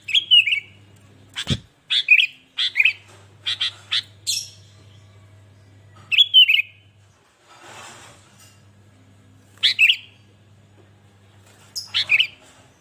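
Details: Sooty-headed bulbul singing energetically, used to stir other bulbuls into song: a string of short bubbly whistled bursts with quick chirps between, plus a sharp click near the start and a steady low hum.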